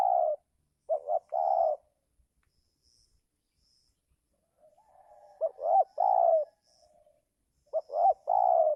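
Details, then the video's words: Spotted dove cooing to lure wild birds in the giring season, when wild doves hesitate to come down. Three phrases of husky coos, each short notes rising into a long mellow coo, with a quieter dove answering faintly between them. "coba Mikat burung tekukur di musim giring"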